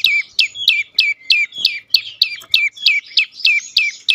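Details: Prenjak lumut, a prinia, in a lure recording meant to make other birds sing: thirteen piercing chirps, each sliding steeply downward, repeated about three times a second in an even run.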